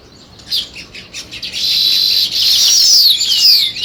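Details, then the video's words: Sparrows start with scattered short chirps, then break into a loud, steady chattering chorus threaded with long, falling whistled notes. "Sparrow Chirping Sounds"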